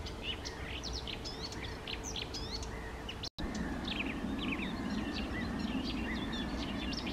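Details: Song of a Eurasian reed warbler by small lakes, morning of 28 May 2024: rapid run of chirps and scratchy notes, fainter amid background hum, briefly cut off midway before the chattering resumes.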